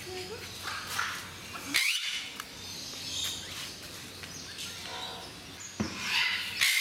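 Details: Eclectus parrots at Mysore Zoo give a few harsh, grating screeches, spaced several seconds apart, over a steady hiss of background noise and faint voices.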